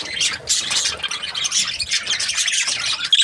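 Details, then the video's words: Happy budgerigar chirping: dense, scratchy warbled chatter with quick high chirps, broken by short pauses throughout. "Happy Budgie chirping sounds"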